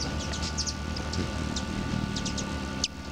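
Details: Hummingbird hovering very close at a feeder, its wings giving a low, steady whirring hum, with scattered high, thin chip notes and a faint steady background tone.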